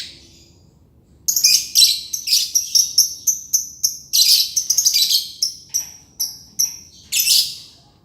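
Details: Green lovebird in full ngekek, a long trill: after a second of quiet, a steady stream of piercing, rapid, high chirps and squeaky chatters continues for nearly seven seconds.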